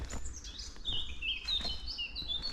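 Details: A territorial Eurasian blackcap, singing close by and not shy, on a cold, gloomy spring day (about 8°C after overnight rain), 10 April 2024, gives a rich fluty warble of quick rising and falling notes over wind and handling noise.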